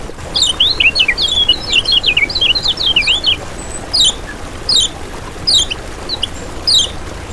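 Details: Lemon-bellied white-eye lure recording: a tumbling burst of bright, squiggly twitters for about three seconds, followed by separate thin descending call notes spaced roughly every second.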